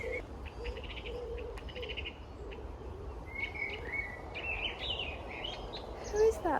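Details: A Common blackbird (Turdus merula) sings short, warbling, fluty phrases with pauses between them at an allotment in the evening, over steady background hum and some faint low murmuring.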